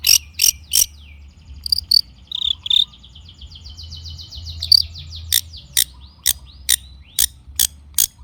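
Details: Long-tailed shrike in gacor lure song: sharp clicks, then a soft buzzy twittering passage, followed by evenly spaced loud snapping notes.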